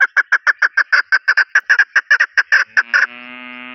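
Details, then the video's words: Chukar partridge from Pakistan calling: a rapid series of harsh clucking notes, about six per second, steady for three seconds, followed by a sustained low humming tone. "Chokor Partridge voice"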